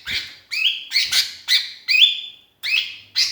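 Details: Lonely sooty-headed bulbul calling to its companions, a recording meant as a lure: bright, slurred whistled notes sliding up, given in quick bursts about every half second, some ending in a drawn-out upward whistle.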